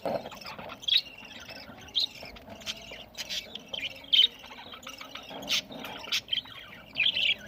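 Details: Chirping from budgerigars feeding, recorded November 1, 2023: high, thin chirps and twittery squeaks spaced about once a second, with a few sharp clicks between them.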